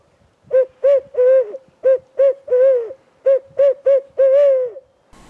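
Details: Barred owl answering a turkey hunter's calls from the trees on a spring evening; loud, clipped hoots in two quick bursts, with short notes mixed with longer drawn-out ones and a final wavering, falling hoot.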